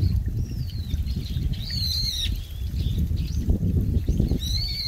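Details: In late autumn on a mountain in a park, a very noisy grey brown-eared bulbul gives a few shrill, high, sliding calls, spaced a second or two apart, over the steady rush of a mountain stream.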